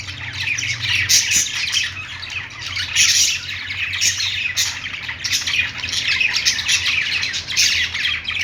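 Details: Budgies at play fill the air with unbroken, layered chirping and scratchy squawks, bright peaks around 1 and 3 seconds, steady low hum beneath.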